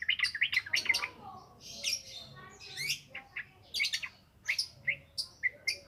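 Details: Yellow-vented bulbul, ngropel ngalas lure song: a fast run of bright chirps, then scratchy gurgled phrases and spaced sharp notes, uneven in rhythm.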